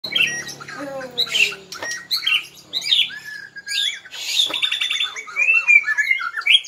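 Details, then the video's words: Wild-origin white-rumped shama from Bahorok, black-legged, singing a varied, rapid song with bright whistled phrases, sharp chips and rising and falling slurs, mostly high-pitched, densely packed with few pauses. "Murai batu Bahorok asli kaki hitam nembak masaawooh keren nya"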